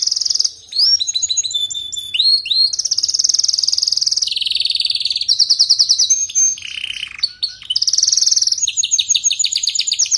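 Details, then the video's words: Canary song, offered as a recording to play to canaries that sing weakly: a loud, clear, varied run of high tours, including rapid rattling trills, buzzy rolls and sliding whistled notes, each changing every second or two, with no other sounds. "إذا لديك كناري ضعيف في تغريد سمعه هذا الغناء"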